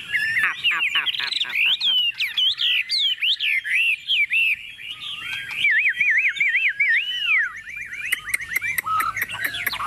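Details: Tame Chinese hwamei singing boldly while set on a table: rapid rattling notes open into a long, loud, varied flow of looping whistles and trills, with a few sharp clicks near the close.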